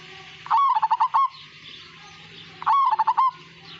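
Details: Majapahit perkutut, a zebra dove, singing gacor: two phrases of fast, evenly pulsed cooing notes, each about three-quarters of a second long and roughly two seconds apart.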